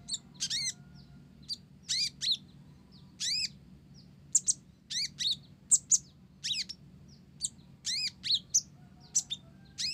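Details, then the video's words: Blorok olive-backed sunbird in vigorous song mixed with Java sparrow phrases: rich, ringing arched notes alternating with thin high chirps, irregular clusters over ten seconds, some notes doubled, steady faint low hum underneath. "Konin Blorok Gacor isian Gelatik"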